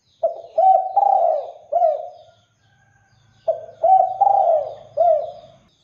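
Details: Lure song of a spotted dove for making other doves reply: two matching phrases of four or five mellow coos, separated by about a second of near silence.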